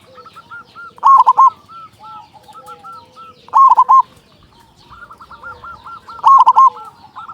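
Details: Local zebra dove with a big voice, used to stir other doves: loud bubbling coo bursts roughly every two and a half seconds amid softer rolling coos.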